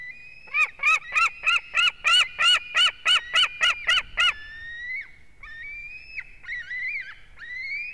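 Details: White-tailed eagle at its nest with an eaglet in Durbe, Latvia, filmed on 13 August by a live nest camera: a fast run of about twelve sharp, barking yelps, then thinner, higher whistled notes at uneven intervals.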